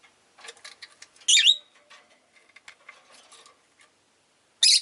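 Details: Several pet rosy-faced lovebirds, vocal this day: a shrill, wavering chirp, then light clicks and rustling, ending with another loud harsh chirp.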